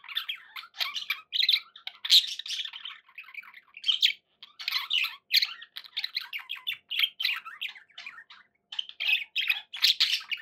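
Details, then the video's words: Several pet budgies chatter nonstop indoors, mixing buzzy warbles, sharp chirps and rasping squawks at a fast irregular pace. "11 hours of budgie sounds"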